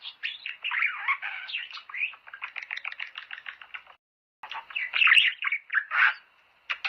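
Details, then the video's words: Budgerigar song to prompt mating. A quick stream of chattering clicks and short chirps ends abruptly, then a half-second silence, then a louder burst of buzzy, squeaky warbling. "حفز طيورك على التزاوج"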